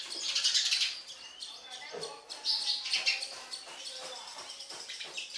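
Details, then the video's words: Sparrow nestlings fed by an adult make thin, high, squeaky chirps in uneven rapid series, rising and fading in brief waves. "Sparrow bird feeding food to baby birds"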